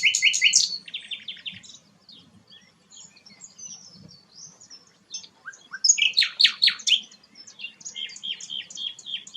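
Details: Rare sikatan londo flycatcher singing bursts of rapid, high, rattling chirps separated by quieter scattered ticks, ending in a repeated string of short whistled notes.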